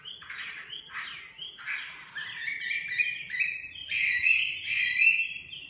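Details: Nightingale song of rich repeated notes, each a swelling whistle with a buzzy edge, speeding into a bright, varied warble, with a soft steady hum behind.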